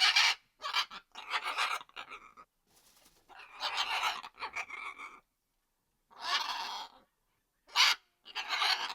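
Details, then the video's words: Macaw making a varied run of rasping, grating squawks and shorter chattering notes, some quieter and broken, with irregular pauses between bursts. "The sound of a macaw"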